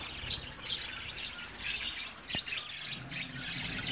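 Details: Budgerigar colony with high chirps and warbled phrases from several birds in quick bursts, one sharp click midway, over low background hum.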